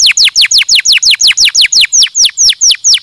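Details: Canary giving a stimulating song: a fast, steady series of high, sharply down-slurred whistled notes, about five each second, repeated evenly with no other sounds.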